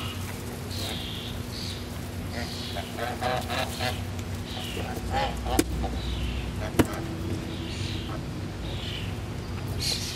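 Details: Geese at a resort giving a run of harsh, harmonic honks, several overlapping in quick bursts through the middle, with higher squeaky notes mixed in over a steady low hum.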